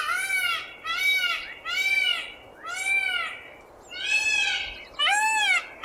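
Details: Indian peafowl giving a steady series of loud, harsh, arching wails in 8D audio, about one a second, each dense with bright overtones.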